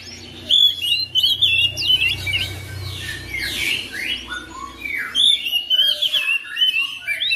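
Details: Oriental magpie-robin kept at home, answering another bird within seconds: varied, sweet whistled phrases mixed with harsher, buzzy scratchy notes, over a low steady background hum.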